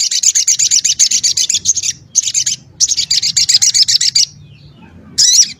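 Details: Crimson sunbird in lively song, prized as a vocal tutor for other songbirds for its dense, sharp, varied voice: rapid high buzzy trills in bursts of about two seconds, pausing, then resuming, with a faint low background hum.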